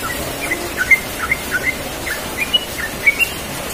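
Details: Yellow-vented bulbul, morning, singing its relaxed 'ropel' rolling song: clear, short, slurred whistles scattered irregularly across the phrase with a low hiss beneath.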